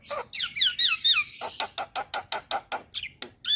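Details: Starling calls used as a lure to make jalak birds respond: looping down-slurred whistles, then a steady series of rasping chattering notes and a few high whistled flourishes.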